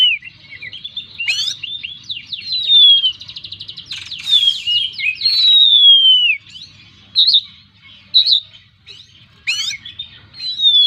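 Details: Oriental magpie-robin singing 'gacor full isian': a mix of fast trills, long sweeping falling whistles and scratchy notes, then separated sharp chirps and clicks spaced about a second apart.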